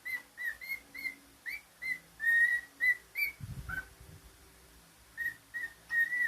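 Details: A pet cockatiel whistles a quick series of bright notes, several rising or bending, then a long held tone, a dull knock and a brief lower note, and after a gap more short whistles.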